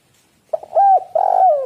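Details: Lure recording of a spotted dove for prompting other doves to coo: a few quiet clipped notes, then a sustained level hoot and a longer wavering coo that sinks at the end.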